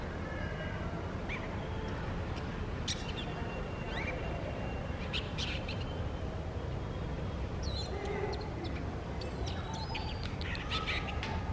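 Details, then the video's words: Brown shrike singing in the morning: scattered short, sharp chattering notes and brief chirps at irregular intervals over a steady low rumble of background noise. "Singing Brown Shrike Bird In Morning."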